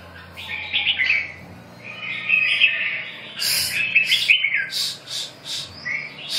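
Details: Continuous warbling from a red-whiskered bulbul, fluid chirpy notes running together, broken midway by several sharp, hissy bursts, then more brief rising notes toward the end.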